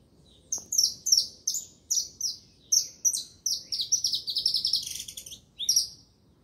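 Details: Saffron finch singing: a run of sharp, high chirped notes repeated about twice a second, then a quicker rattling trill of buzzy notes before one more chirp; faint low background hum.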